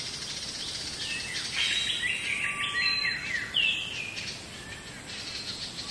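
Black bulbul giving harsh, nasal, slurred mewing calls with some squeaky notes, loosely repeated over a steady high hiss of insects.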